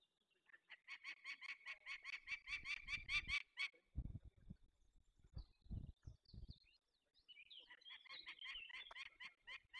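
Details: Peregrine falcons at a release of young birds, Barycz Valley, Poland, 27 May 2020: a long fast chain of harsh, stacked cackling notes, loud thuds and knocks in between, then another run of grating calls.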